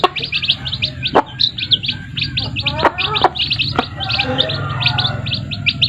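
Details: Chicks with their mothers: a dense, continuous chorus of high, thin peeping notes from several chicks, overlapping and repeated rapidly, with occasional sharp clicks and taps.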